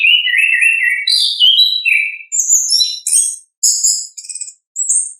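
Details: Ngeplong-style song of an orange-headed thrush in its natural voice: clear warbled whistles that drop in pitch, followed by rapid, varied, very high chirps and trills with short breaks between phrases.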